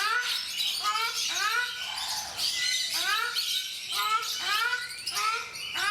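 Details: Brahminy ducks, or ruddy shelducks, kept at Mysore Zoo in India, calling steadily: rhythmic runs of rising, nasal honks, several each second, amid constant bright chatter from other birds.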